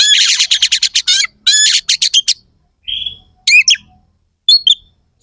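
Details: Oriental magpie-robin contest bird delivering a harsh fill-in song meant to provoke rival birds: a rapid stutter of grating, scratchy notes, then a clear level whistle and brief twangy chirps with silent gaps.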